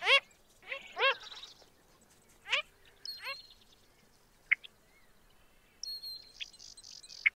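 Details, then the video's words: Wilson's phalarope, a rare winter visitor to Hawaii, giving short nasal, buzzy calls in loose bursts, with thin higher chips and buzzes from other birds in between. "Wilsonʻs Phalarope (Phalaropus tricolor)"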